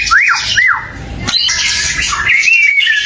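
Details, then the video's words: White-rumped shama singing to trigger a reply from other shamas: two arched, slurred whistles, then a sharp note and a thin, wavering high whistle over a steady background hiss. "Suara murai batu gacor AMPUH buat pancingan murai batu agar emosi LANGSUNG NYAUT"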